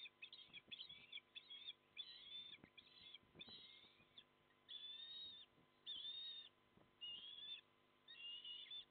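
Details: Windy barge nest of ospreys in South Australia's Port Lincoln, two chicks 27 and 25 days old, male returning with fish; a rapid series of high whistled chirps speeds up, then longer drawn whistles follow, with gusting wind beneath.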